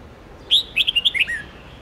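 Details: Red-whiskered bulbul's many-voiced song, played to young white-cheeked bulbuls so they learn it; one quick run of roughly seven ringing, warbled whistles ending in a falling slur, with faint hiss.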